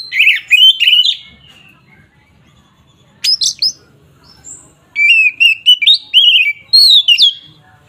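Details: Oriental magpie-robin giving agitated 'ngeplong' song meant to provoke rival birds: rapid clusters of sharp whistled and warbled notes, several bursts with short gaps, quiet background hum.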